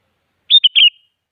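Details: Single short phrase from a sooty-headed bulbul, meant as a lure for other bulbuls to answer: three quick fluty whistled notes, the last slightly longer and falling, on a silent background.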